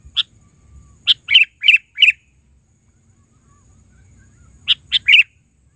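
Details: Sooty-headed bulbul (kutilang) in an original recording of its call, vocal and active: a single chirp, then a phrase of four quick, lively notes, a pause, and another three-note phrase ending in a slurred chirp.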